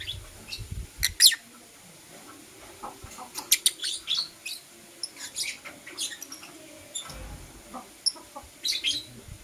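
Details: Morning chirping from Blue Opaline and Euwing Opaline lovebirds: scattered thin, high chirps and brief squeaky notes spaced a second or two apart, with soft low rustling between them.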